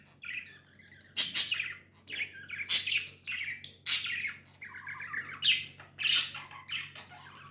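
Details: Several pet budgies chirp in a lively, fairly regular run of sharp bright notes about every half second, mixed with short warbling and scratchy phrases; low hum in the background.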